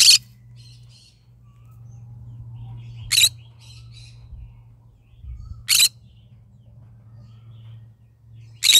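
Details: Yellow-sided green-cheeked conure kept as a pet, calling in the morning: short harsh squawks repeated every two to three seconds, soft faint chirps between, over a steady low hum.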